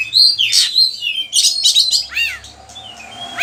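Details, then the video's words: Oriental magpie-robin, Indonesia, lure song for training other birds: loud buzzy chatter bursts followed by repeated downslurred whistles, then quieter fading notes. "Pancingan suara kacer gacor, bongkar isian burung"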